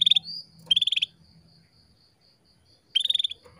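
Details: Female canary calling to stimulate males into breeding condition: bright, rapid chirp trills in three short bursts, separated by a thin sustained whistle and quiet pauses.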